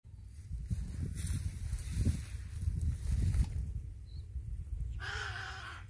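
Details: Little blue heron (Egretta caerulea), call.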